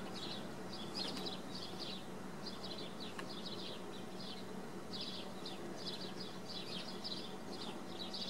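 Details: Swallows filmed at Wicken Fen, a busy run of high, thin twittering notes in clustered bursts for about eight seconds, with a continuous low hum beneath.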